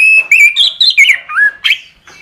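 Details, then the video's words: Orange-headed thrush singing on a training recording, a clear, high whistled phrase of rapidly linked, rising and falling notes and short slurs, ending in a sharp, squeaky flourish. "Masteran Suara Anis Kembang"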